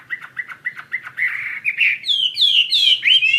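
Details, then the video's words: Chinese hwamei in full, lively song: a run of short repeated chirps around mid pitch, then loud rich whistled phrases sliding down and up, delivered rapidly and varied. "SUARA KICAU BURUNG HWAMEI WAMBI GACOR"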